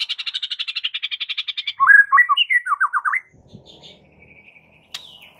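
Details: Raging white-rumped shama master song for fight training: fast rattling trill of about twenty rapid pulses, then a run of lower, descending slurred notes, fading to quiet with one sharp high click.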